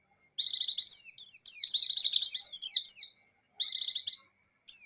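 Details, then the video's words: Buxtoni white-eye delivering an extended 'ngecir' song: a nearly three-second unbroken flow of quick, high, wavering slurred notes mixed with buzzy trills, then a short chattering burst and a final whistle. "Suara Burung Pleci Gacor + Pleci Ngecir"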